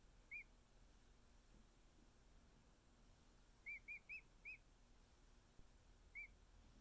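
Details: Male emu chick, a little over a week old and cuddling with keepers, gives a single whistled peep, a quick run of four bright arched notes after a long quiet gap, then one more.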